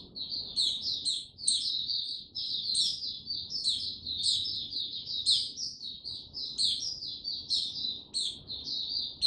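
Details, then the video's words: Mata Puteh male on 06-03-2022, slow and steady before opening into full song: fast, high, thin twittering carried on continuously, studded with sharp upward squeaks every second or so. "Mata Puteh Before he open buka Tsunami Video 1 gaining confidence to buka slow n steady"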